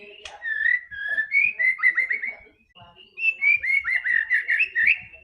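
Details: Lure song of a White-rumped shama, played to make a silent bird sing: two bursts of rapid, warbling whistles with quick downward slurs, separated by a short pause.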